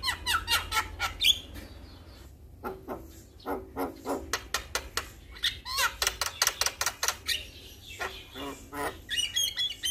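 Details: Javan myna, a male, calling out to other mynas that respond: rapid rhythmic bursts of harsh chattering notes with a few squeaky upward whistles, pausing briefly before resuming.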